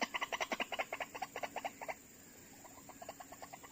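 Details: White-breasted waterhen lured by call playback for trapping, two birds arriving within seconds; a rapid run of harsh, clucking pulses, about two or three a second, loud for two seconds, then softer, sparser repeats.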